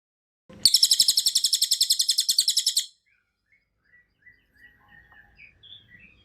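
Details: Cililin song recorded as masteran tutor material, delivered in dense tembakan rapat style: a rapid burst of about eighteen sharp, high, metallic notes over two seconds, then quiet with faint distant chirps.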